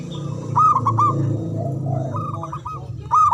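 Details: Local Javanese zebra dove used as a singing lure for silent doves. Two brief rolling bursts of ringing coo notes stand out at the start and end, with softer cooing between, over a heavy low rumble.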